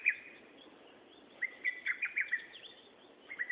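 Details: Bird recorded on 13 June 2011: a sharp opening chirp, then a quick run of about six short whistled notes near two seconds in, and a closing pair of chirps, over a steady faint hiss.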